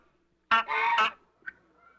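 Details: African goose giving a single loud, harsh honk lasting just over half a second, followed by a brief faint squeak.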